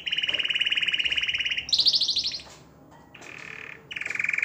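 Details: Canary song meant to stimulate females to mate: a long, even buzzy trill, then a higher, harsher trilled burst, a quieter pause and a return to the rapid pulsing trill.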